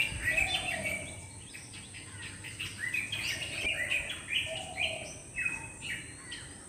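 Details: Black drongo chirping, recorded live: quick bursts of crisp, varied chirps and short whistled notes, loudest at the start and repeated unevenly through the clip, with a continuous faint high-pitched whine behind.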